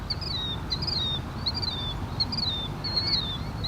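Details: Several killdeer at the Los Angeles River give shrill, high, slightly falling notes about every half second over a steady low rumble of water and distant traffic.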